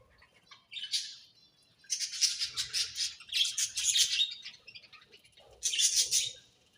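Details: Budgerigars chirping in bright, rapid bursts of high twittering notes, with short busy phrases near the first second, a long run from two to about four and a half seconds, and another burst near six seconds, separated by quiet gaps.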